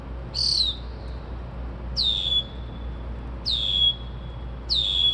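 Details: Bird singing at 2:30-3:00am, described as mimicking car alarms and sparrows; four loud high whistles, each sliding down and trailing into a thin held tone, spaced roughly one and a half seconds apart.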